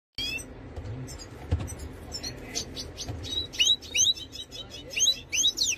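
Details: A Major goldfinch sings, answering claims that this bird does not sing. The song is a high, rapid, twittering jumble of sharp chirps and buzzy trills that grows louder and denser toward the end, with some low rumbling noise early on.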